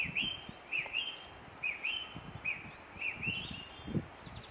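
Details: Eurasian treecreeper in Ross-Shire, Scotland, on 22 April 2016: thin high rising notes repeated in a short phrase, then a descending run of fine high trills, over wind and rustling background.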